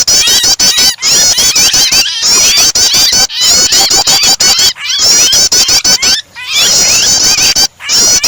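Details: Rapid, high-pitched prinia chattering combined with the cries of a distressed bird, used as a starter to get other birds singing; insistent clipped notes run continuously beneath bands of quavering high whistles, pausing briefly every second or two.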